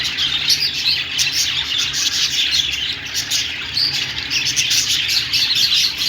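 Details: Budgies in full chorus, a thick stream of bright, high chirping with sharp little squeaks scattered throughout.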